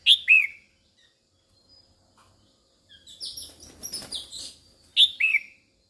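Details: , Female red-whiskered bulbul calling to excite males: a sharp, falling two-note phrase opens and closes the passage, with softer, busy chattering and high twittering in between.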